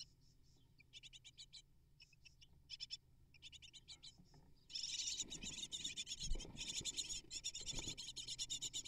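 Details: Great tit nestlings, eight chicks fed prey by parents, give scattered bursts of high rapid chirping that turn into loud continuous begging after a few seconds, with rustling thumps.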